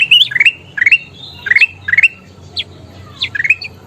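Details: Bulbul, the kutilang emas, in lively song for training caged birds: clear rising whistles in short clusters of two to four notes, separated by gaps of about half a second, over a quiet low hum.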